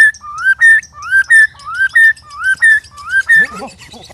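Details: White-rumped shama among three sparring birds, loud and strange-sounding: steady rising-then-flat whistled pairs about twice a second, ending in a softer, wavering low slur, with a low hum throughout.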